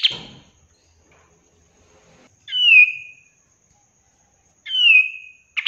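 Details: Kapas tembak (Olive-winged Bulbul), a master recording for training caged birds: two loud, clear whistled notes that slide downward, about two seconds apart, with a brief sharp note at the start and end and silence between.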